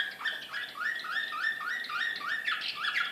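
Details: Srpski Slavujar canary recorded in Belgrade in 2014, repeating a bright rising whistled note about five times a second in a loud, even, rolling series.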